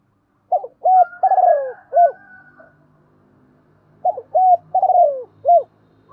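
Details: Decoy spotted dove cooing to rouse other doves. Two repeated phrases of deep, mellow coos, each with a long wavering descending note, separated by about two seconds. A faint low rumble and a thin whistle sound in the background.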